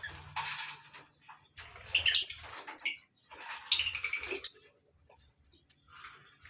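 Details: Lovebirds in a mini colony aviary at a breeding farm in the morning, including masked and Fischer's lovebirds. Wing fluttering mixes with bursts of rapid, grating high chatter and a few thin piercing chips.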